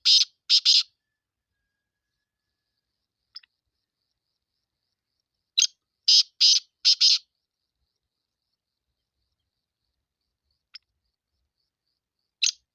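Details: Repeated harsh calls of a Sindhi black francolin: a phrase ends the opening moment, a full five-note grating sequence follows several seconds later, and a new rough note starts near the end, faint ticks between.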